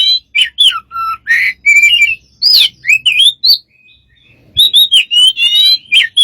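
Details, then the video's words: Smart bird producing many strange sounds: quick whistled slurs, rising and falling notes, short chirps and harsh bursts in loose bursts, with a brief pause midway. "smart bird have lost of strange sounds"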